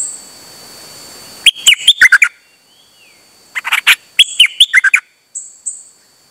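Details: Singing Dok Taeng bird, 8 September 2023, taken out for a trip and repeating without stopping. Two dense bursts of choppy warbled notes come about two seconds apart, followed by a pair of thin high whistles.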